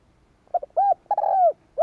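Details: Spotted dove coo used to excite males during training: a quick stuttered pair of notes, a rounded hoot, then a long sliding coo, with the next phrase just beginning at the end; background otherwise quiet.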